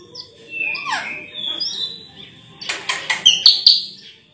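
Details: Sulawesi myna with a melodious voice: a gliding whistle and soft drawn tones, followed by rapid harsh chattering and bright high chirps. A steady thin high tone runs throughout.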